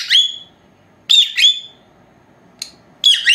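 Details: Four-month-old pet lovebirds, both female, during their siesta indoors, old camera recording unattended; a piercing chirp, a doubled shrill call after a pause, a tiny click, then another sharp pair.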